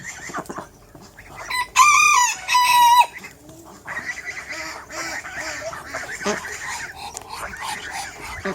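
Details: Rooster in a backyard flock of mixed chicken breeds on a farm with over 100 animals: a loud two-part crow, the second note long and level, followed by softer clucks and cackles from other hens.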